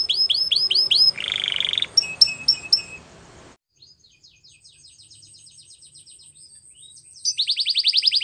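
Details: White Belgian canary giving quick down-slurred whistled notes and a buzzy burst over a hissing background, a quiet stretch of faint chips, then a loud fast trill at the end.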